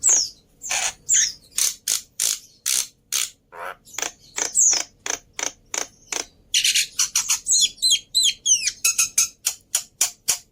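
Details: Black-winged myna tutor track: a steady series of harsh, rasping, creaky notes about every half second, broken by a quick burst of high squeaky whistles.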